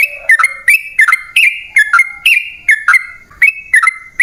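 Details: Sooty-headed bulbul in a long rolling song to tempt wild birds into answering: steady whistled notes that drop in pitch, sharp-edged and repeated rapidly and evenly throughout.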